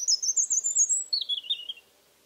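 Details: European Robin singing on a warm, humid mid-October evening in 2014 at an old house among cork oaks in Alentejo, singing as if spring were beginning; a high, thin, warbling phrase that slides downward in two sweeping sections, clean and otherwise quiet.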